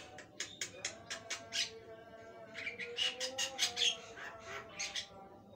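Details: Javan myna in full, lively song (gacor), a long series of harsh, broadband notes and clicks repeated roughly every quarter second, with a few brief whistles, over a faint steady low hum.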